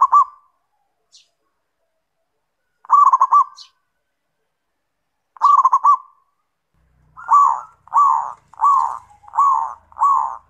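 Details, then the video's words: Zebra dove singing a lure song, in kerot and bekur styles, to provoke other doves: three stuttering trilled coo phrases spaced a few seconds apart, then a run of five rounded, evenly repeated coo notes. "Pancingan Perkutut Gacor KEROT dan BEKUR Bikin EMOSI"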